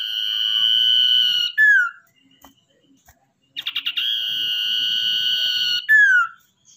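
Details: Captive Common iora, caught wild and tamed, used as a lure bird: a sustained bright whistle lasting over a second drops into a short falling note, then after a pause stuttering pulses lead into another long held whistle and slur.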